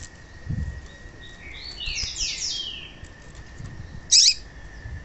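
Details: Female rusty-collared seedeater call, used by keepers to stimulate caged males to sing: a few descending buzzy whistled notes around two seconds, then a short sharp chip near four seconds, over a steady electronic hum.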